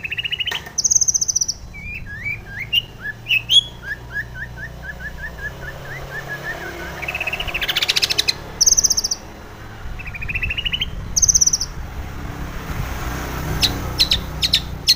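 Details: Female long-tailed shrike singing in the morning, used as a lure to train and steady caged birds: varied chirps, a run of slurred descending notes repeated rapidly, sharp high squeaks and brief trills over constant background hiss.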